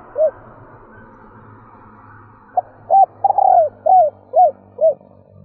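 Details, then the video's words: Cooing female spotted dove, a stuttering three-ending phrase meant to rouse males: one lone coo, a pause, then a clipped note, a hollow coo, a trembling drawn-out coo and three short arched coos, with steady background hiss. "Tiếng cu gáy mái gù gáy kích bổi nhanh gáy / Chim cu gáy mái 3 hậu gù cà lăm / cu mái kích bổi"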